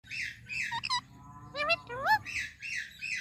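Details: Parrot talking while greeting another parrot: harsh, buzzy bursts alternate with rising and falling voice-like tones, some gliding upward, in a quick, uneven run of syllables with little background noise.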